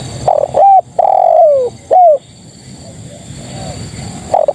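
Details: A female spotted dove calls for males with one full phrase of short coo, long descending throaty coo and brief closing coo, then a pause before the next phrase begins.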